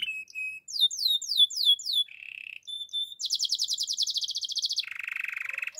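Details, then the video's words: Russian canary singing in rapid tours: a run of quick downslurred whistled notes, a short low buzzy roll, then a fast bright pulsed trill and a lower rattling trill to close. "Canary birds chirping - Russian canary song"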